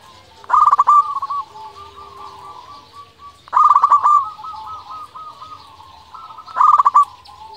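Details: Vocal local zebra dove, a lure meant to provoke rival doves into replying: three loud bursts of quick stuttered coos about three seconds apart, each trailing into a gentler level coo, soft cooing between.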